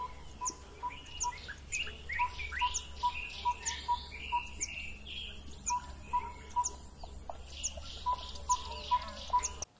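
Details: A Yellow-rumped Tinkerbird in Southern Africa gives a steady series of hollow, mid-pitched tonk notes, roughly two or three a second, among busy high chirps from other birds.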